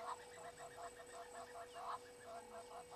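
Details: Natal spurfowl at Gowrie dam waterhole, Djuma Game Reserve, Sabi Sand Wildtuin, South Africa, caught by a live camera at 18:08. It gives a rapid run of harsh, grating notes, about six or seven per second, over a steady background hum.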